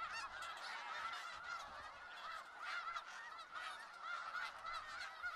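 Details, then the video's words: Skagit Valley snow geese calling en masse, a busy, overlapping chorus of yelping honks with scattered louder notes throughout. "Sounds of Snow Geese"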